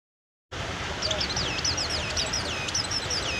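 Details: Mountain white-eye kept at a roadside stall, singing a dense run of thin, high whistled notes that swoop up and down in quick succession after a brief silent start, over a steady background hiss.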